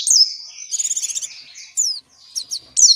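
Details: Long continuous 'ngalas' song of an oriental white-eye, used for training captive white-eyes; high thin whistles and a buzzy twittering stretch, separated by short gaps and single sharp chirps, with a faint low hum behind.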